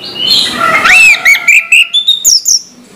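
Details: Orange-headed thrush singing in the morning: a brief, loud, varied phrase of slurred rising whistles. Sharp high chips and trills follow in a quick broken series.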